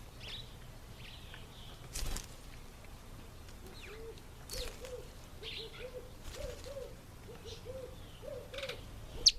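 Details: African green pigeon eating an apple: a run of short, low, arched mellow notes repeated in quick succession for several seconds, with scattered high chirps and clicks around them.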